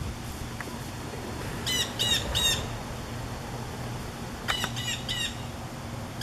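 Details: Blue jay calling from backyard trees on a summer afternoon as a fast severe thunderstorm approaches, probably warning other birds: two groups of three harsh squawks under a steady rumble of wind and storm noise.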